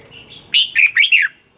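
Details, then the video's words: Red-whiskered bulbul kept in a cage, a song for exciting caged birds; after soft quiet notes, one loud phrase of four rolling, liquid whistles that dip and rise. "เสียงนกกรงหัวจุก สำหรับต่อ หรือ เปิดให้นกคึก เสียงเพราะๆ"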